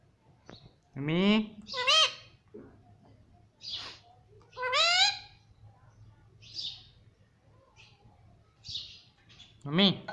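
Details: Pet parrot that talks, saying mummy: several loud, harmonic, arching 'mami' syllables separated by softer high squeaks and short pauses, indoors.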